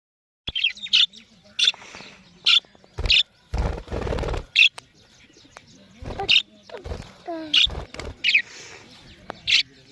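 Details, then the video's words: Pet parrot vocalizing in short bursts of sharp, high chirps and squawks, mixed with brief harsher noisy calls and a faint low steady hum in the background. "Mitthu Ki Pyari Awaz ❤️ | Talking Bird Compilation"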